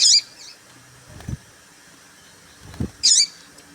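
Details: Female papa-capim seedeater call for stirring males to sing: two short, high chirps at the start and end, separated by quiet, with two low muffled knocks in between.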